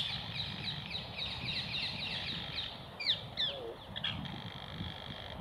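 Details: Rose-ringed parakeets feeding on apples set on wire mesh: a rapid run of short, harsh screechy notes fills the first half, then several louder, strident squawks burst out near the end over a low background rumble.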